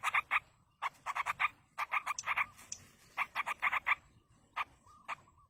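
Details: Wild yellow-vented bulbul chicks beg as a parent feeds them, giving clusters of rough, pulsed notes in quick groups of three to five, ending with isolated notes and a soft brief warble.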